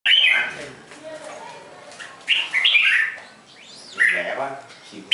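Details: Red-whiskered bulbul singing short, loud warbled phrases that sweep down from high to middle pitch, separated by pauses, over a faint murmur of other sounds.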